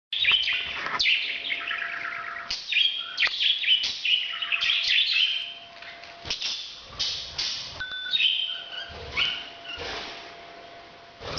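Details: Parrot giving its breeding sound: rapid bursts of harsh, chattering chirps and squawky notes, some short whistled tones, with brief gaps between the outbursts and a faint steady hum underneath.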